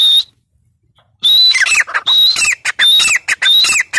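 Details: Grey francolin (teetar) calling loudly: high whistled notes with a rising tone, each followed by a quick cluster of harsh, squeaky clicks, repeated in a rhythmic, ringing phrase after a short silence.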